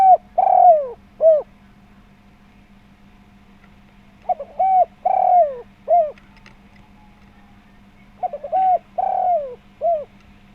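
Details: Lively spotted dove coo series used as a lure for other doves: three phrases about four seconds apart, each with quick stuttering lead-in notes, a drawn-out descending coo and a short closing note. A faint steady hum runs throughout.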